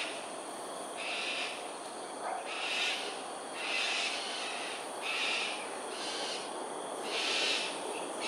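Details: In flight over Sungei Ulu Pandan, Singapore, during an aerial display on a January 2022 morning, cockatoos utter six rasping, grating shrieks in an uneven series across eight seconds, with constant background hiss.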